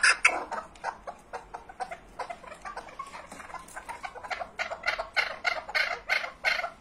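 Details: Chukar partridge giving a rapid run of harsh, clucking chuk notes, about three each second, uneven in loudness, that build into a steady chattering series lasting close to seven seconds.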